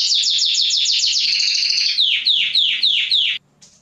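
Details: Male canary singing to excite hens for mating. A very fast high trill turns into slower, loud downward-sweeping notes, about four per second, then stops abruptly.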